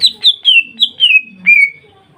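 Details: Lure song of the greater green leafbird, meant to set other leafbirds singing: six clear whistled notes in quick succession, each sliding downward, the last drawn out longer and falling, over a faint low rumble.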